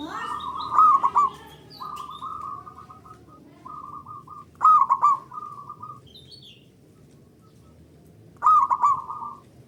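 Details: Singing local zebra dove, a recording meant as a lure to stimulate other doves; repeated trilled coos with a clear accented start, about three phrases over ten seconds, with faint chirps from another bird early on.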